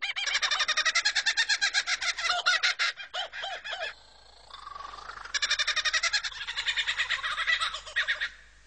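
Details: A male Superb Lyrebird at his cleared forest display site, singing to attract females, pours out a fast, loud run of repeated rattling notes, then after a lull switches to varied whistled and chattering phrases copied from other birds.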